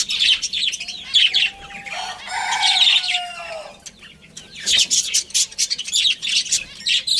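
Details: Captive budgerigars in a colony chatter with busy high twitters, broken in the middle by a longer drawn-out harmonic call before the chirping resumes in quick bursts.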